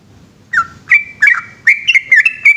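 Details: Night song of a yellow-vented bulbul starting after a short silence, a string of bright slurred whistles, some sliding down, others held level, quickening toward the end.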